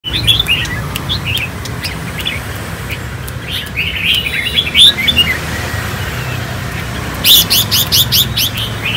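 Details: A 4-year-old kept red-whiskered bulbul from Khánh Hòa, after a cool bath and being provoked into "ché" calls, gives short, bright chirping phrases, then a quick burst of harsh clicking notes near the end, over a low background hum.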